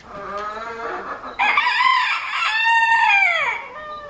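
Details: Reeves's pheasant during a courtship dance: loud, harmonic, drawn-out calls. Softer notes open the clip, then a stronger wavering cry rises and ends with a downward slur.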